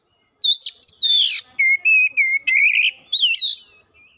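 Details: Oriental magpie-robin in fast, vigorous lure song, opening with rising whistled notes and harsh buzzy bursts, then a run of steady clear whistles, each held briefly, ending in looping upward slurs; no other sounds.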